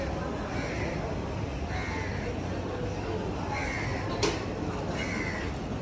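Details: Several hoarse caws from crows in a tree come roughly every one to two seconds over a constant low hum, with one sharp click partway through.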